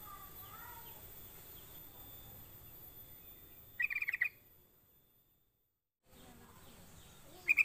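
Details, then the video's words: A sooty-headed bulbul, used as a lure call to get other bulbuls singing, gives a quick cluster of bright, chattering notes, then another brief burst after a short silence, over a faint background hiss. "Pancingan Trucuk biar cepat bunyi gacor"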